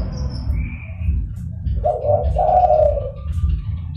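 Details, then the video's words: Zebra dove calling vigorously, used for luring wild doves: a single warbling coo phrase in two quick parts after a quiet stretch, with faint high chirps from another bird and low background rumble. "DERKUKU GACOR (DERKUKU PIKAT)"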